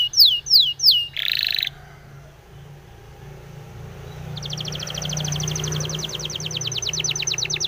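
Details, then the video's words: Training song of a Spanish Timbrado canary: three loud downward-sweeping whistles and a buzzy burst, a short pause with faint background hum, then a long, even, fast metallic trill. "SPANISH TIMBRADO SONG FOR TRAINING - canary training song"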